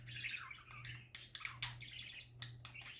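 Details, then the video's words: Happy parakeets in lively song, a dense stream of high twittering and gurgled warbles punctuated by sharp clicks and squeaks, over a faint steady background hum. "Parakeets Singing Happy Parakeets Parakeet Sounds"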